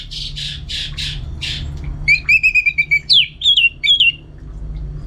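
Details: Caged Orange-headed thrush from North Bali, Singaraja, kept at home and trained for singing contests: harsh squawky bursts give way to a run of bright, clear whistled notes, then several rising and falling slurred whistles over a low room hum.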